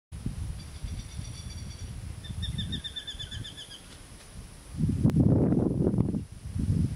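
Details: Whistling kite defending its meal at Acacia Hills, Northern Territory, Australia: two bursts of quick, thin, whistled staccato notes, the second faster and stronger, followed by loud low rumbling wind or handling noise.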